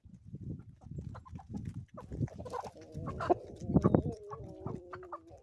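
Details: Chickens on an Ozarks homestead in the morning. Low rumbling farmyard noise comes first, then drawn-out, even-pitched hen calls that hold steady for over a second, mixed with sharp clucks.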